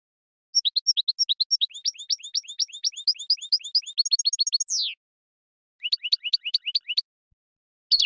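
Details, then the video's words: Caged European goldfinch: a long run of rapid high twittered notes accelerating into a descending slide, a short pause, then another burst of quick repeated chirps. "صوت الحسون الأصلي - Stieglitz Major Beste Gesang - Le roi du chardonneret"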